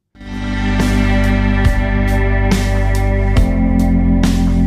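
Organ and slide guitar music with regular strummed accents, loud and continuous, with no animal calls.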